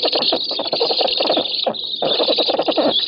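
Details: Black storks competing for fish at an oak-tree nest in Poland, filmed 7 August 2018 by nest camera. Dense wheezy, grating pulses repeat rapidly, with a short break midway before the rasping resumes.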